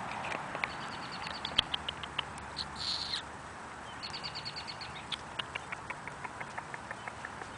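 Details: A wild Ruby-throated Hummingbird in a flowering currant bush, watched by a cat below, gives high, dry clicking chips in quick bursts of several ticks, with a brief buzzy rush partway through over a quiet background.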